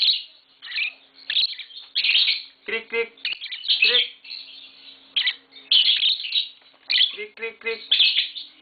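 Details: A pair of mating green Fischer's lovebirds kept at home chatters with rapid, high, scratchy chirps and twitters in repeated bursts. A man speaks briefly in Bengali between them, over a faint background hum.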